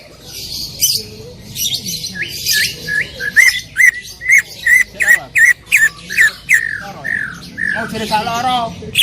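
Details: Greater green leafbird in loud 'tembakan' shot-style song: varied twitters leading into a long, rhythmic string of sharp, ringing whistles, closing with a rapid trilled phrase.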